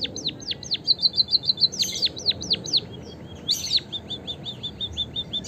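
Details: Chirping of a white-headed munia, meant to coax kept birds into song: bright, high chirps falling steeply in pitch, with quick level twitter notes in between, repeated in an even, lively stream.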